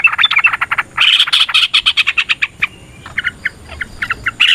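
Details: Yellow-vented bulbul fighting song used to rouse rivals: fast harsh chattering notes pour out densely for two seconds, then break into scattered bubbly phrases and a brief steady whistle.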